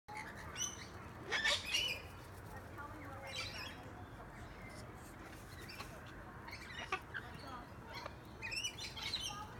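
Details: On a balcony at the Gold Coast, Queensland, Australia, on 8 July 2018, a female rainbow lorikeet fighting off a suitor gives harsh, grating screeches in bursts every couple of seconds; a sulphur-crested cockatoo breaks it up; faint chirps and murmur between.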